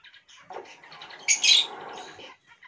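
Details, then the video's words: Talking hill myna in a home, giving a loud harsh squawky burst with bright high tones, surrounded by softer chattering notes, between a person's spoken Hindi coaxing. "Amazing Talking Hill Myna"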